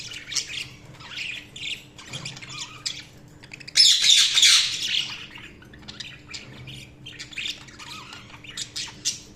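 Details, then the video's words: Chirping budgerigars: short bursts of high, scratchy chatter and squeaky notes, a loud harsh outburst midway lasting about a second, birds overlapping, with a faint constant hum. "Budgies Sounds| Budgies Chirping sound"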